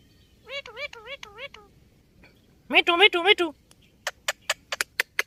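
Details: Indian ringneck parakeet kept as a talking pet: harmonic, wavering speech-like phrases with strongly modulated syllables, then a buzzy burst, followed by a series of sharp clicking or tapping notes.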